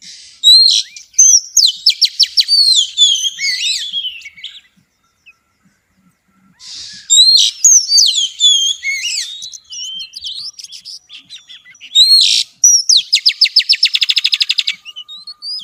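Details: Female Oriental magpie-robin in xùy song aimed at stimulating males, delivering three loud bursts of varied whistles and chatter separated by pauses, the last ending in a rapid even trill of repeated notes.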